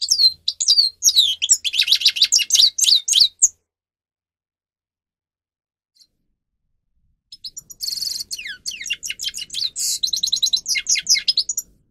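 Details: Grey-crowned goldfinch training song for caged birds: two bursts of fast twittering and liquid trills with harsh buzzy segments, separated by several seconds of silence, the second burst richer in rasping notes.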